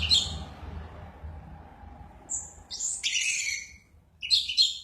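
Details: Orange-headed thrush (anis merah) in excited 'mabuk' song: a sharp high burst, a long pause, then a thin whistle leading into a loud scratchy, rapidly varied phrase and a final squeaky outburst.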